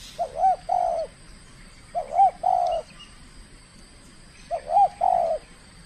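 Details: Spotted dove kept for calling contests, competing for the first time: three paired phrases, each a short rising coo followed by a longer falling hoot, roughly every two and a half seconds.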